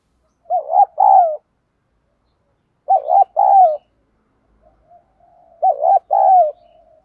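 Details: Spotted dove fighting-coo song, played to stir decoy doves into cooing: three low, mellow phrases, each a short burbled coo followed by a longer drawn-out coo, about two and a half seconds apart, with quiet gaps.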